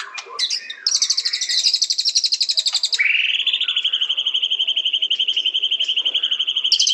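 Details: White-rumped shama: a brief jumble of sharp notes, a high rapid pulsing trill lasting about two seconds, then a long fast-pulsed whistled note held steady for nearly four seconds.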